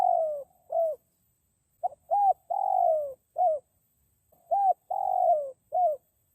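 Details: Wild spotted dove calling, a recording used to lure wild birds: mellow, throaty coos in short groups, each phrase ending in a longer, slightly buzzy descending note, with brief pauses between groups.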